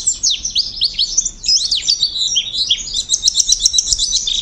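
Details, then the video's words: An Oriental white-eye sings a fast, high, continuous warble of thin twittering notes and trills, with no pauses and no other sounds. "AUDIO PLECI ISTIMEWA FULL VARIASI"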